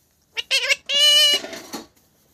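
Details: A chattering lory, a mutation, talking: a couple of quick, word-like syllables, then a drawn-out, nasal, evenly pitched note breaking into a raspy tail, in a small room.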